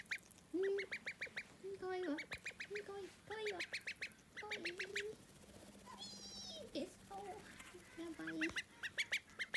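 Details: Call duck chick whose voice changed within three hours. Rapid series of short, harsh, quack-like calls alternate with thinner higher notes, in uneven bursts, over a background hum.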